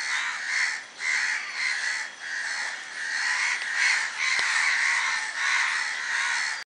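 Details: Crows in numbers, perched in a tree with others in flight, keep up a dense, continuous cawing, harsh calls overlapping almost without pause.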